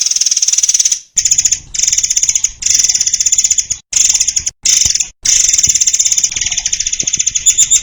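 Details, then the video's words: White-crowned shama singing for songbird training: repeated harsh, buzzy high phrases, each about half a second to a second long, separated by brief pauses and ending in sharp chips. "SUARA BURUNG MURAI AIR untuk masteran || FULL DURASI & TEMBAKAN RAPAT"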